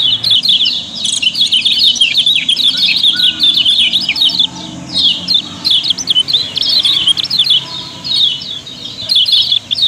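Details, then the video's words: Lombok yellow-bellied prinia kept as a cage bird and played as a lure for other birds: long runs of rapid, high twittering notes in energetic phrases, separated by brief pauses, with a faint hum beneath. "Kecial Kuning Auto Ramai, Pancingan Paling Ampuh"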